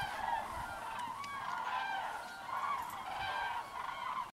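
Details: A flock of common cranes returning in single file to their roost, calling together in a steady chorus of loud, rolling, trumpeting notes that overlap continuously for several seconds.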